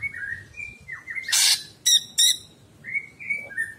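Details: Greater green leafbird song recorded as a master track for training pet birds: clear whistled notes near one pitch, a short rasping burst, then two bright ringing harmonic notes and more slurred whistles.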